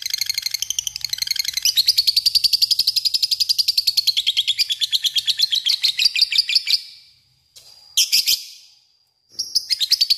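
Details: Long ngekek song of a lovebird used to lure a rival: a loud, rapid, shrill buzzing chatter lasting around seven seconds, a harsh burst after a pause, then more chatter.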